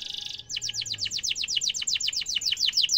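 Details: Canary singing a rolling trill used for tutoring young canaries: a brief buzzy note followed by a quick train of sharply falling chips, with a noisy background.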